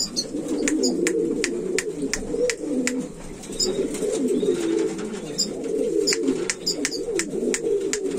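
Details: Buchón valenciano antiguo pigeons coo steadily in a low, blurred chorus, with repeated crisp clicks and small high chirps scattered across the recording.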